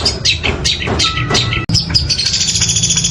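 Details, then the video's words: Long-tailed shrike in fast mimicking song, with woodpecker-like notes. Scattered sharp chips give way after a short break to a high, sustained buzzy trill, with low humming noise underneath. "Cendet suara pelatuk sambung Greja Kuntilanak roll speed tembak gacor"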